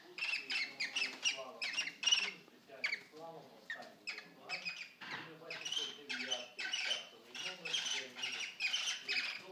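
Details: Caged male cockatiel, about a year old, courting and mating with a female three years older: rapid chattering, scratchy warbles and squawky notes in quick bursts, with softer lower chatter mixed in.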